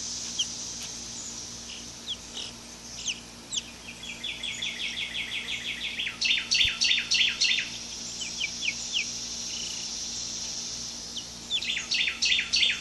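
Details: Two-week-old hatchery chicks, many together in a coop during their first minutes outdoors, give high descending peeps, at first in a steady rapid series, then in bursts of loud overlapping cheeps with short quieter pauses.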